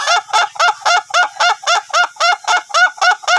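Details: Ayam Ketawa rooster of the duration type, trained for long crowing, gives crisp, regular cackling notes, close to four per second, with quiet surroundings.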